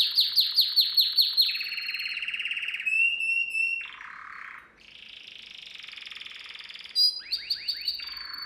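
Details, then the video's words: Canary song used to train young canaries. It opens with a series of quick descending chirps, then shifts into sustained rattling trills, a short lower buzzy roll, and a long steady trill before more rapid falling notes. "Most powerful song for training Canary"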